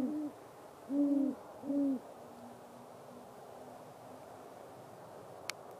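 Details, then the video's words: Male great horned owl hooting during late fall or early winter courtship to attract a mate; low, mellow hoots, a short note then two fuller ones about a second apart, followed by a faint steady low tone and background hiss. "Great horned owls mating calls"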